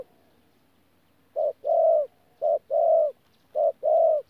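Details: Spotted dove, a 'bổi' adult, recorded at Tu Mơ Rông on 14 January 2019 giving its 'thổ pha gù' coo. After a second of quiet come three low paired phrases, each a short hoot and then a longer drawn-out coo, spaced about one second apart.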